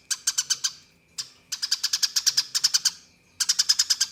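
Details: A 'tembakan' fighting song of a Eurasian tree sparrow, used as training material for contest birds: loud, piercing chirps in rapid rolling series, each lasting about a second and a half, with brief silent gaps between bursts.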